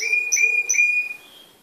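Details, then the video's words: A yellow, black-patched Timbrado canary from 2012, trained for contests, sings three clear, ringing, bell-like notes in quick succession, each with a bright metallic tone, before fading out. "canario timbrado cantando"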